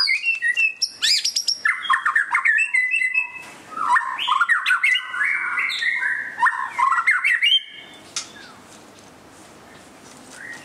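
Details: Displaying white-rumped shama pouring out a varied song of fluty whistles, quick slurs and rattling notes for about eight seconds, then falling quiet apart from a faint single note.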